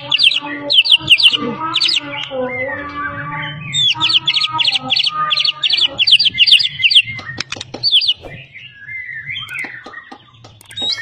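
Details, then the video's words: White-rumped shama from Medan, a champion caged songbird with mimicry of other birds, delivering rapid repeated high whistled notes in quick series, then varied warbles and sharp clicks, with low background hum. "murai juara full isian gacor ngotot"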